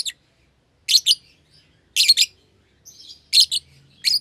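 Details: Bonded young pair of caged lovebirds, red-eyed albino and euwing green opaline; grating high chirps in doubles and triples about once a second, with a soft whistled phrase and faint low rumble between.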